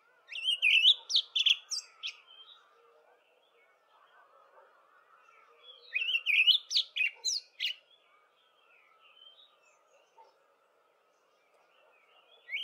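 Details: Dawn chorus song of an olive thrush in early spring, two bursts of rich warbled whistles with rapid twittering notes about five seconds apart, quiet pauses between, faint background hum.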